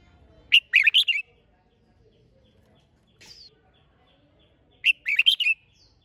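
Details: Competition song (hót đấu) of a red-whiskered bulbul: two matching phrases of rapid, fluty warbled notes about four seconds apart, separated by one brief faint high note.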